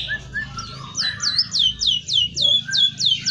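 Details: White-headed munia song mimicking canary and oriental magpie-robin: a few lower chirps, then a steady run of about eight sharp, high, downward-slurred whistles repeated roughly every third of a second.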